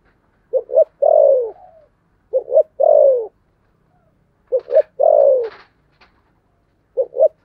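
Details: Spotted dove in the 'thổ sấm' voice repeating its phrase about every two seconds: a stuttered double note followed by a long, downward-curving coo, with a brief clatter after one phrase.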